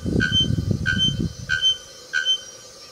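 A bare-throated bellbird gives four loud, ringing metallic notes, one about every two-thirds of a second, over a low rumble at the start.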